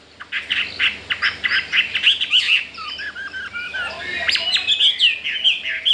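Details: Newly acquired wild-caught Chinese hwamei in a cage, said to want to father chicks; vigorous song mixing sharp chipping notes with fluty, rolling whistles in rapid bursts.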